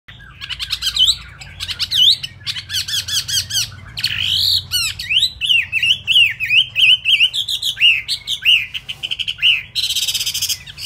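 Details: Kept Chinese hwamei singing fast while its feathers are still wet, pouring out loud whistled notes, rising slurs and quick repeated chirps, nearly one per second, ending in a burst of harsh rasping.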